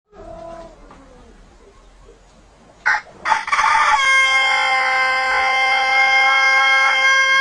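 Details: Pelung chicken giving a strange but long crow: after faint low background sounds, two short rough bursts lead into a loud, steady, harmonically rich tone held unbroken for over three seconds.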